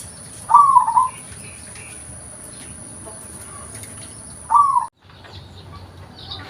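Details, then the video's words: Local zebra dove, natural voice used for luring: two short rolling coo phrases about four seconds apart over steady hiss, then a brief drop to near silence. "PERKUTUT LOKAL || SUARA ASLI COCOK UNTUK PANCINGAN"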